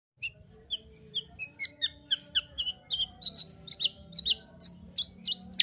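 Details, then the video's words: Lively long-tailed shrike singing, used as a lure to rouse shrikes reluctant to sing: a fast run of high, sharp chirps and whistled notes, roughly two per second, with a faint low hum beneath. "Pancingan Cendet Gacor Untuk Menaikkan Birahi cendet Malas Bunyi"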